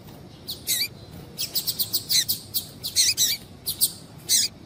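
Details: Female double-collared seedeater calling to stimulate males to sing: a busy run of short, high, sharp chips, several with a brief downward-dropping tail, coming in irregular bursts over a faint low hum.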